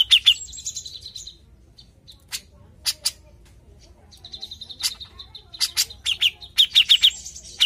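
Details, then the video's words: Grey-cheeked bulbul (cucak jenggot) in lively lure-recording song: quick squeaky chips and a sustained whistled phrase, broken by a pause and scattered sharp notes, then rapid chattering trills resuming near the end. "PANCINGAN CUCAK JENGGOT GACOR"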